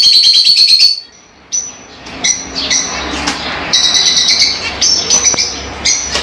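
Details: Lovebirds, small African parrots, opening with a fast rattling trill of shrill notes, then a short lull followed by scattered sharp chirps and longer squeaky calls from several birds.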